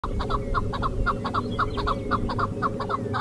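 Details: Chukar partridge giving its 'kaw' call: a rapid run of short, clucking notes, often paired, repeated about twice a second over a steady low rumble of background noise.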